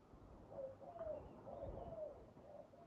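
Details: Spotted dove near a trap with a decoy, giving a few soft, low cooing phrases, each a short note and a longer slurred coo, partly masked by background rumble.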